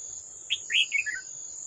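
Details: A wild old red-whiskered bulbul comes to fight a decoy at a trap, 18 July 2024: an abrupt high note followed by a loud slurred phrase of three or four chirps sliding lower, with an unbroken high insect whine throughout.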